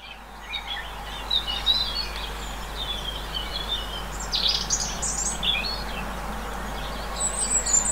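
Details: Albino great tit recorded in countryside of central France on 10 March 2020: scattered high, thin chirps and short buzzy chattering bursts, a louder cluster near the middle, over a steady low rural background hum.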